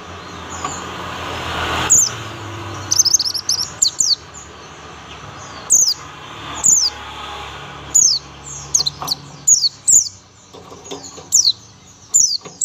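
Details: Tembakan song of a young buxtoni Oriental white-eye: rapid high, piercing downward-slurred chirps in irregular clusters, some quick doubles and trills, with brief pauses between bursts and low background hum.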